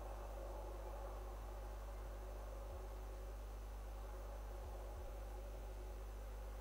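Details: Steady low mechanical hum with a few soft knocks and no animal calls.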